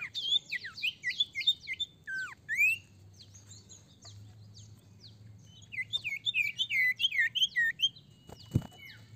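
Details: A golden-bellied gerygone (Gerygone sulphurea) gives a rapid, high chattering song of quick falling slurred notes in two bursts, with a brief pause between them.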